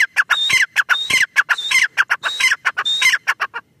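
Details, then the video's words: Loud teetar call of a grey francolin: rasping, emphatic notes in fast repeated groups, with bright whistled tones threading through, continuing without a break to the end. "Teetar ki awaz | Teetar voice | gray francolin teetar sound"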